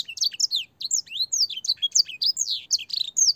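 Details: Canary with blackthroat and sanger phrases singing a clear training song for young canaries; high, rapid, varied whistled notes sweeping up and down, with short gaps between bursts.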